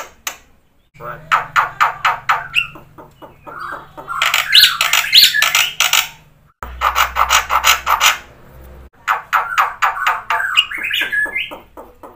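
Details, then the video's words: Black-winged myna singing energetically with fill-ins, meant to coax quiet birds into answering: rasping repeated notes, slurred whistles and dense squawky passages over a low steady hum. "suara jalak putih gacor full isian"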